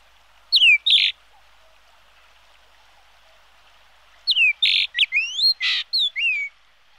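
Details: Whistled phrases of a yellow-billed grosbeak: two quick falling notes with a rasp, then after a pause a longer run of sweeping rising and falling whistles mixed with buzzy notes.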